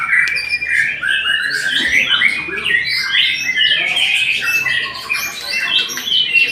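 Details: White-rumped shama in full song: a dense, energetic medley of loud whistles, trills and harsh chattering phrases, constantly changing in pitch and delivered without a break, heard up close indoors.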